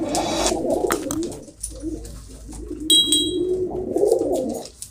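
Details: Pigeon cooing indoors, soft low rolling coos with some clicking and rustling noises in the room.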